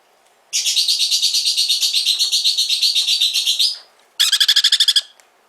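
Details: Hand-reared sun conure chick at a pet shop in Fukuoka, Japan, giving a long, harsh, rapidly pulsed rasping call lasting about three seconds, then a shorter burst of quick buzzy pulses after a brief pause.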